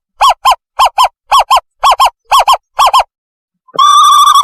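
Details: Owl call played as a lure to catch owls: arched hooting notes in quick pairs for three seconds, then a steady, buzzy, even tone after a short pause.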